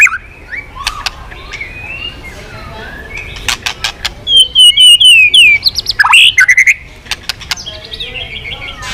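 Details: Over a steady background rumble, a white-rumped shama gives scattered sharp clicks, then a high whistled trill and loud, fluty slurred notes.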